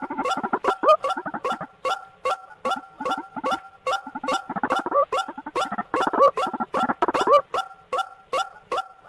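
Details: Bird-trapping lure of white-breasted waterhen: quieter, steady series of sharp clicks each joined to a two-toned nasal hoot, with busier overlapping croaks and squeaky notes mid-sequence.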